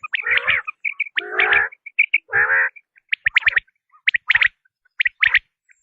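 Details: Quail giving rasping, layered calls mixed with quick high whistled chips. The calls become sparser and more clipped toward the end.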